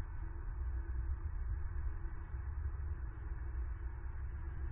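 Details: Low, steady rumbling hum with faint engine-like drone throughout, and no animal calls heard.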